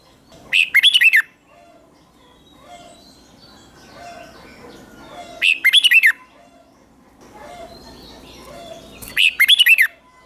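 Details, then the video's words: Red-whiskered bulbul's morning song, trained as a competitive fighting song: three short, loud phrases of quick looping whistled notes, spaced roughly four to five seconds apart, with soft background murmur between them. "Luyện chào mào hót sáng | chào mào hót đấu"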